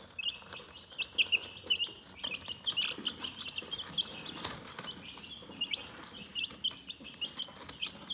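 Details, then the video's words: Calm chicken chirping: many high, thin peeps in quick overlapping succession, with occasional louder sharp notes and faint scratching and rustling sounds. "Chicken Relaxing Soothing Chirping Sounds"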